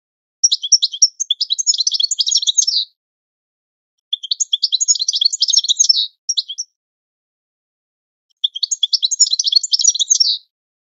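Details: European goldfinch training song repeated as three similar bursts of rapid, tinkling, scratchy twitters, each about two seconds long and separated by pauses of roughly two seconds, in a quiet setting.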